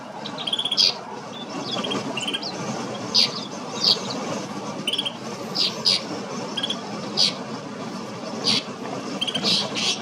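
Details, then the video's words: Snow bunting calls recorded in Kananaskis, Alberta, Canada, a busy series of sharp high chips and short buzzy notes from what sounds like several birds, against constant low rushing noise. "Snow Bunting"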